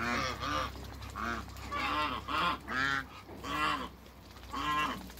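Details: African geese, three met together on a farm, honking in a rapid, loud run of about seven nasal, ringing calls within five seconds, barely pausing between them.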